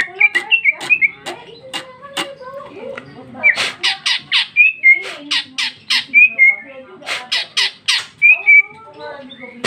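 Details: Singing female cucak ijo recorded in 2021, ngeplong with luxurious isian: bursts of harsh scratchy chatter mixed with looping whistled notes, about four elements per second, uneven in rhythm.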